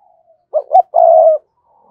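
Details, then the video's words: Calling lure spotted dove, kept to entice wild doves: two brief hollow coos, then one sustained flat coo lasting about half a second. "Chim Cu Mồi gáy gọi kích bổi hiệu quả, tiếng chim cu gáy"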